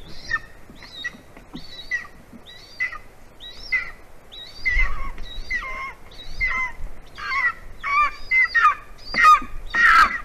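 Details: In Latvia at 11:09 AM on 9 February 2020, the golden eagle Spilve calls for her mate Virsis during mating, giving a run of thin, high yelping notes, about two a second, growing louder and more excited toward the end over a soft low rumble.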